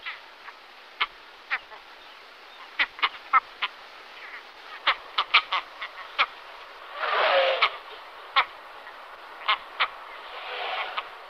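Great Skua giving short, harsh, clipped notes at an uneven pace, about twenty in eleven seconds, with a brief rush of wind or surf midway.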